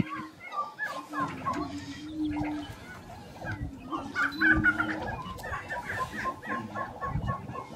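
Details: Several grouse displaying together at a Colorado lek in April 2023: dense overlapping clucks and pops above a low, steady humming tone, with occasional deeper thumps.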